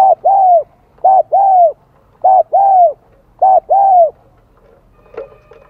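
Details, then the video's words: Vietnamese spotted dove of the high 'son' voice type, starting its song: four clear two-part coos, a short hoot followed by a drawn-out falling one, then a faint clatter near the end. "Tiếng chim cu gáy Giọng Son chớm nổi kích bổi"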